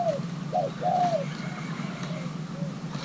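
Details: Young male Thai-hybrid spotted dove being paired gives a brief coo sequence: a falling note, a short note, then a drawn-out descending coo, followed by faint softer notes over low steady hum.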